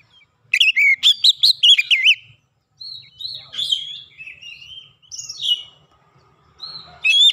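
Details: Oriental magpie-robin singing a clear lure song meant to spur silent birds into song: loud whistled notes warbling up and down, a burst of rapid phrases, then softer sliding whistles and a fresh loud phrase at the end.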